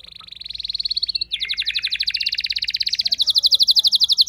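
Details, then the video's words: Caged house canary, usually a quiet singer, responding at once to another bird with a long roll: one unbroken rapid trill, the pulses speeding up and shifting pitch partway through, sustained for over four seconds. "Seketika Respon Kenari Rumahan Yang Kurang Gacor Langsung Nyaut Bisa Ngeroll Panjang"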